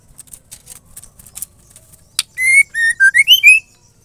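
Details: Song of a female white-rumped shama, used to spur male shamas to sing: soft clicking taps, then one loud whistled phrase of level notes followed by a rising and falling flourish.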